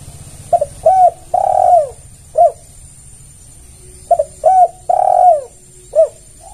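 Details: Spotted dove (tekukur) calling, used as a lure to draw other doves. Mellow cooing phrases given twice: short coos, a quick double note, a long drawn-out coo sliding downward, then a final short coo. A steady high hiss persists throughout.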